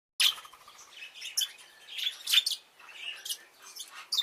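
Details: Bourke's parrots giving short, bright chirps and twitters, scattered irregularly with brief gaps, some notes sharply rising, in a small indoor space.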